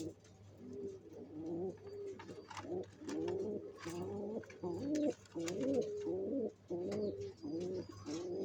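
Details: Nest-building pigeons preparing to lay eggs: deep, throaty coos repeated continuously at a quick pace, each a short wavering phrase, with faint clicks and light scuffing in the background.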